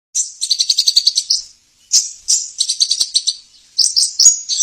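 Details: Sunbird (sogon) master song used as a lure to draw wild birds and get caged birds singing: high, sharp chirps in rapid trilled bursts, separated by short pauses.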